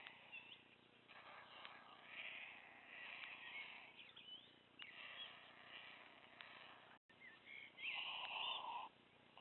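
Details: Very hungry white stork chick at Wilsum, pulling food straight from its parents' bills; drawn-out mewing, wheezy begging notes come in bursts around the second and eighth seconds over steady rustling background noise.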